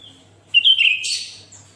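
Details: Sooty-headed bulbul in lively, vigorous song, played to prompt other bulbuls to sing: a short whistled note slurs into a bright, buzzy, rasping burst lasting under a second, then a faint high whistle.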